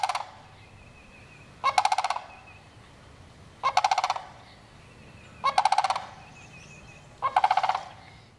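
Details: A sandhill crane repeats its rolling, pulsed rattle five times at steady intervals of nearly two seconds. Each burst holds about six rapid notes, and a faint high tone lingers between calls.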